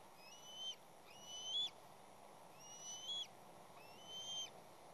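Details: Bald eagles at the West End nest as an intruding third juvenile stirs up the chicks and parents. Four thin, high, slurred whistles, each rising slightly then dropping at the end, come roughly every second over steady hiss.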